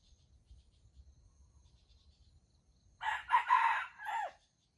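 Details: Wild red junglefowl crowing while competing at a baited trap; a single harsh, broken crow of about a second and a half after near silence, ending in a drawn-out falling note, with a faint low rumble beforehand.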